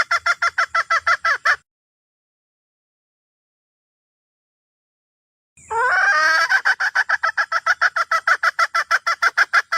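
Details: Wild red junglefowl hen summoning the rooster with rapid, evenly spaced nasal clucks. After a four-second silence, a strained, rising harmonic cry opens a long run of about three clucks per second.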